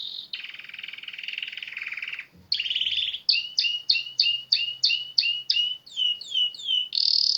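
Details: Canary singing amid scenic nature: a buzzy harsh phrase, then a run of about ten quick, evenly spaced downward-sweeping whistled notes, ending in a bright trill; faint low hum underneath.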